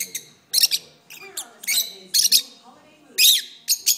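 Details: Lovebirds in a long singing spell: irregular sharp squeaky chirps and brief harsh bursts, some paired, with soft low chatter below.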